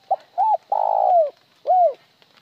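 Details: Spotted dove calling with one trailing note: two short notes and a long vibrating coo falling at the end, then a separate rounded closing note after a brief pause. The background is quiet.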